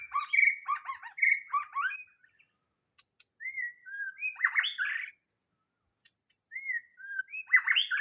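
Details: A white-rumped shama, played as a lure, sings rich fluting whistles mixed with rolling chattered phrases. Bursts are separated by short pauses, and a constant thin insect hiss runs throughout.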